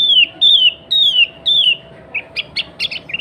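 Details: Sooty-headed bulbul (kutilang), recorded as a lure to call wild bulbuls: four loud, clear whistles, each sliding downward, then a run of short, bubbly chirps; a faint steady hum underneath.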